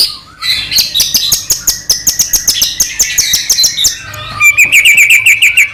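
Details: White-rumped shama song played to provoke another shama to sing: dense stream of rapid high chips and whistles, then a rhythmic chattering phrase of repeated notes.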